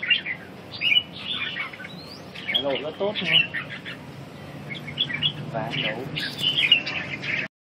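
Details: Red-whiskered bulbul singing: bright, warbled chirps and short whistled phrases in quick bursts, mixed with a man speaking in the middle and again near the end.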